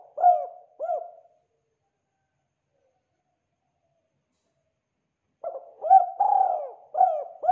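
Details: Spotted dove cooing energetically: two short hollow coos, a long silence, then a fuller phrase of soft low coos with one stretched middle note.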